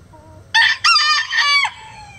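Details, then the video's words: Chicken calling loudly in two harsh, harmonic bursts, the first short and the second drawn out for nearly a second, then ending abruptly over a quiet background. "Chicken Sounds Egg Song | Rooster Crowing"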